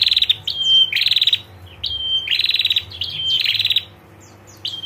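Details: Female prinia in gacor ngetir style, the call males answer: rapid rattling trills in dense bursts alternating with steady high whistled notes, loud and nearly continuous.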